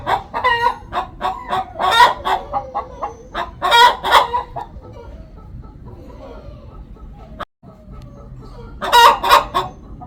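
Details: Hen's loud cackle before laying an egg: rapid chains of clucks rising into raucous squawks, then several seconds of near quiet before another harsh outburst near the end.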